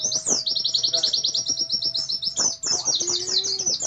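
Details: An Oriental white-eye (Zosterops palpebrosus), a competition and master-song bird, pours out a fast, unbroken stream of high, thin twittering notes with short gaps, with a faint low hum underneath.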